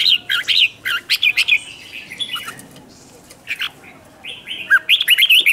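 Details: Wild-caught red-whiskered bulbul singing to challenge rival birds: a fast, continuous run of chirpy, fluty phrases, rising and dipping, with a few quieter notes in the middle.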